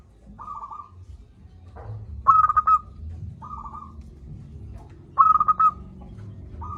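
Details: Local zebra dove singing strongly, used to get idle doves calling: soft purring coos alternating with two loud stuttering coo bursts about three seconds apart, over a low steady hum.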